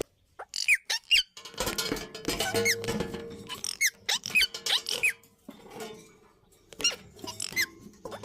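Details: Indian ringneck parakeets in a breeding setting, producing a dense run of sharp squeaky and harsh screeching calls in bursts, with faint background music.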